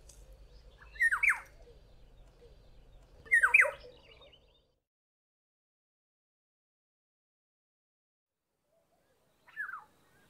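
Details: Black-headed oriole calling from a tree in a South African garden: short, loud, liquid, down-slurred whistled phrases, two close together and a softer one several seconds later, over a faint low hum.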